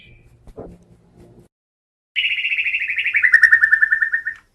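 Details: Medan white-rumped shama delivering a fast trill of about twenty rapid repeated notes, slightly falling in pitch, preceded by faint clicks and a short low note.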